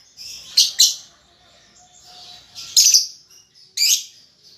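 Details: Young lovebird, a baby still learning to chatter, giving harsh high chirps in short bursts: a pair of sharp notes near the start, another loud burst near three seconds and one near four, with softer continuous twittering between.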